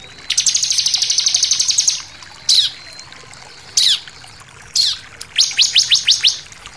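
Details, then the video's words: Bar-winged prinia singing on a lure track for provoking other birds: a fast, buzzy high trill lasting almost two seconds, three separate short bursts, then a closing series of about six clipped notes. "pancingan ciblek bahan langsung emosi nembak"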